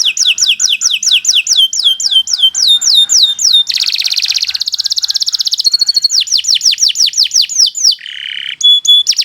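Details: Long, full song of a Kenari Nusantara canary meant as training material for other songbirds: sharp falling notes repeated briskly, a fast shimmering trill, more descending chips, a buzzy note and clear short whistles.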